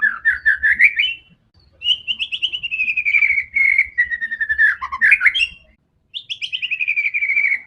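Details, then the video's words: White-rumped shama delivering a combative song to provoke other birds: long runs of rapid, evenly repeated notes that slowly descend, split by brief pauses, with a few twisting whistled phrases. "MURAI BATU GACOR‼️ SANGAT FIGHTER DAN GANAS UNTUK PANCINGAN MURAI ANDA"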